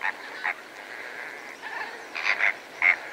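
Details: Greater flamingos, several birds feeding with lesser flamingos, give short honking calls in scattered bursts over a steady murmur of distant flock noise, grouped more tightly toward the end.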